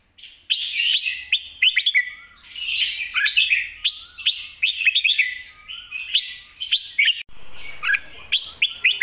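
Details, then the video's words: Red-whiskered bulbul pouring out spirited 'mae bot' master song: loud rolling warbled phrases and sharp chirps in steady succession, a short silence near the end, then more phrases; faint lower slurred whistles and background hiss. "นกกรงหัวจุก ร้องมันส์เพลงแม่บทสับกระจาย"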